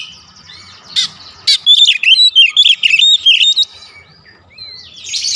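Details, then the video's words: Kacer, the Oriental magpie-robin, in a recording meant to get magpie-robins singing fast: after two sharp clicks, a two-second burst of bright, rapidly alternating whistled notes, then a single thin slurred whistle and faint rushing noise. "Kacer manapun dijamin cepat buka suara"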